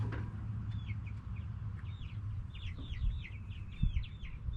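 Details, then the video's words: Backyard chickens, hens and roosters, heard faintly; a few soft hooked clucks in the second half over strong low-pitched background noise. "Back yard chickens making noise🐓 Relaxing sounds of hens and roosters"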